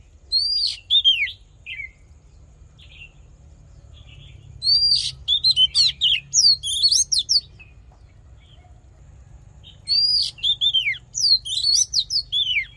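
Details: Oriental magpie-robin; fighting song; fighting song to stir up and provoke rival males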